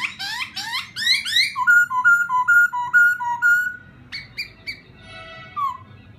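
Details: Laughingthrush song used to rouse a newly caught bird: a burst of rapid rising whistled notes, then a run of steady clear whistles repeated about twice a second, ending in short high notes and a falling slur.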